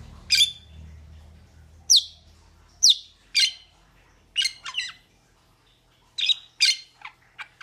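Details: Metallic starling uttering harsh, high, downward-slurred squeaks spaced about a second apart, then quicker doubled notes and short chattery bursts, with a faint low hum at the start.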